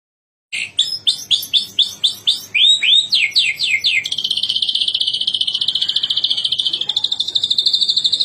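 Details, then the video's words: White-rumped shama singing a long rolling song: a series of loud descending whistled sweeps about three per second, then a fast sustained trilled roll of rapid repeated notes continuing for several seconds, clear and close. "Murai Batu Ngerol Panjang"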